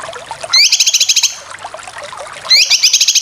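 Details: Cucak kinoy in besetan style for training competition birds: two short bursts of quick, rising, rattling chatter, each opening with an upward-swept whistle, separated by a quieter pause with faint low background noise.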